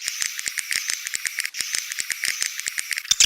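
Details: Edible-nest swiftlet calls: rapid series of dry clicks, about eight per second, forming a steady rattle with a faint high whistled tone running through, ending in a brief harsher burst.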